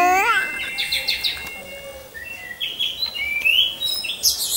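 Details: Caged orange-headed thrush hung in a row with others, recorded as a lure to train singing birds; varied bright whistles, a quick rising-falling note then rapid high trills and slurred phrases climbing toward the top of the range.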